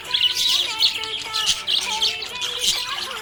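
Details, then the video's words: Happy budgie chirping: a busy stream of rasping, high warbled chirps in short bursts, with steady musical notes playing underneath. "Happy budgie chirping sound"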